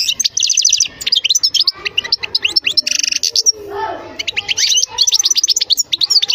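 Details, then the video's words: Continuous European goldfinch song, a dense tumble of quick high chirps and twittering trills interrupted once by a short buzzy, nasal note, then resuming with rapid liquid phrases. "تغريد حسون خلو"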